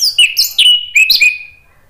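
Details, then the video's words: Short orange-headed thrush phrase meant to coax a caged bird into singing: several quick sharp chirps followed by clear whistled notes sliding downward, fading into quiet. "PANCINGAN ANIS MERAH agar BUNYI jadi NYAUT GACOR NGEPLONG"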